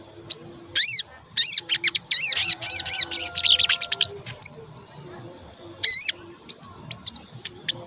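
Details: Olive-backed tailorbird lure to set birds singing: clusters of loud, sharp, bending notes in rapid runs, then a trail of quick high beads and further isolated piercing notes, with faint low tones behind.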